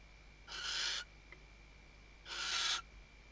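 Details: Nest-camera recording from the Ebro Delta, Tarragona, Spain, 2023 season: a female Western barn owl tucking in nest material and calling the male, giving two rough, noisy screeches under two seconds apart, with a faint click between.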